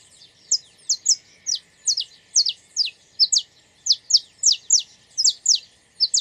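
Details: Saffron finch song from the wild: crisp, high chirps sliding sharply downward, delivered almost evenly at roughly two per second over a clean, quiet background.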